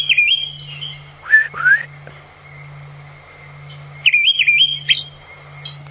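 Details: An olive thrush in Sabi Sand bush near Kruger Park, South Africa, on an early-July late-afternoon drive, gives clear high warbled whistles in two short bursts with rising slurred notes, over a steady low engine hum.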